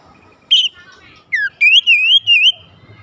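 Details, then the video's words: Oriental magpie-robin singing to spur other magpie-robins into song: a sharp whistle, then a falling slur, followed by a long wavering, warbling whistled phrase that rises and dips repeatedly. "kicauan terindah memancing Kacer lain langsung gacor"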